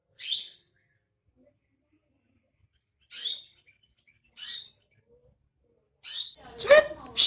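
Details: Lure recording of a greater green leafbird meant to get a bird singing: spaced rasping notes at irregular intervals, ending in a louder, more complex burst with a lower tonal element.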